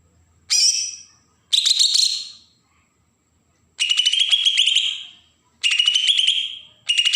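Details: Bornean green leafbird from Berau, Kalimantan, singing besetan to provoke newly caught birds: five separate bursts of quick, scratchy, piercing chatter, the later ones longer and lower-pitched, with short silences between.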